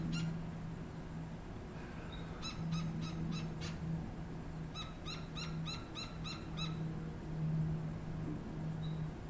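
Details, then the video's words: Juvenile and adult Gila woodpecker at a Tucson, Arizona back fence; repeated series of quick, harsh, evenly spaced chattering notes in several bursts, with a constant low mechanical hum underneath. "Gila Woodpecker Youngster and Adult"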